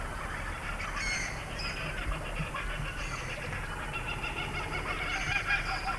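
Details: Laughing Kookaburras in a Brisbane, Australia sanctuary near closing time, 1993, as the animals become more active, keep up a raucous, chuckling chorus of harsh, rolling calls, over a steady low rumble and background noise.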